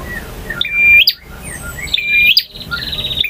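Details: Male bar-winged prinia song in ngalun and kristal variation: two emphatic phrases of sustained high whistle rising into a loud snapping note, the second followed by a fast buzzy trill, quiet between.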